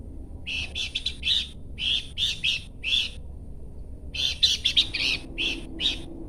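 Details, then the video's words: Horsfield's babbler producing a long sequence of rough, buzzy chattering notes grouped in twos and threes, with a brief gap midway before a denser run of bursts. "UNIKNYA SUARA DAN GAYA BERKICAU BURUNG PELANDUK SEMAK"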